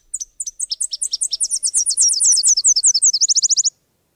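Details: Subalpine warbler (Sylvia cantillans) pouring out a continuous, fast, high, scratchy warble lasting nearly four seconds, ending in a quick, even trill of repeated notes.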